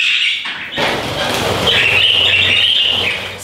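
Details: A pet budgerigar gives a harsh, raspy squawk, a grating high screech held about three seconds over a low indoor hum. Squawking may mean something is missing or the bird was frightened.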